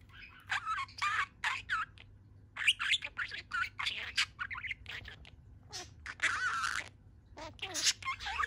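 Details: Pet budgerigar in a cheerful mood, perched on one leg, chattering indoors: a continuous stream of quick warbles, squeaks and scratchy, speech-like chirps in bursts with short pauses, over a low steady hum.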